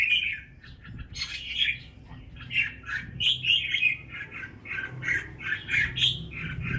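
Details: Red-whiskered bulbul from Ba Vì, Vietnam, sings a continuous run of varied chirps and warbles, lively and uneven, over mild low background noise.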